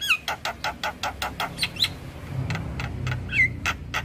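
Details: Javan myna master recording with full fill-in: evenly spaced rasping pulses, roughly two per second, with a few sharp whistled squeaks over a low background hum.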